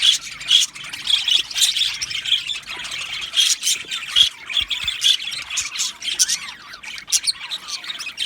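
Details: Budgie colony in an aviary: a crowd of parrots chirping with bright repeated squeaky notes standing out over a constant raspy warbling background.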